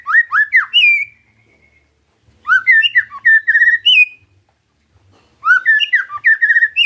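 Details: Gacor song of a white-rumped shama meant as a lure to start other shamas singing: three bursts of varied, clear whistled phrases with rising and falling slurs, separated by second-long silences.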